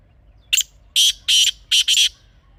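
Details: A kala teetar, or black francolin, recorded in natural surroundings, gives its rasping phrase: one brief note followed by two long grating notes and a quick closing pair, all loud and harsh against a quiet low rumble.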